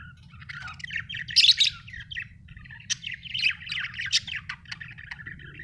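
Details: Budgerigar chatter: a busy, scratchy stream of warbled chirps and short squeaky notes, rising into louder bursts now and then, over a low steady hum.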